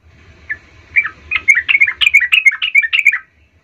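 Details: Sooty-headed bulbul song used as a lure to provoke other birds: a lively run of bubbling, chirpy notes repeated rapidly for about two seconds, rising and falling, with faint low rumble beneath.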